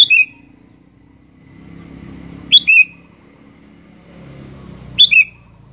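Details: Sooty-headed bulbul singing energetically: three short bright phrases, each a sharp high note falling into a brief slurred whistle, about two and a half seconds apart, over a low rumble of traffic.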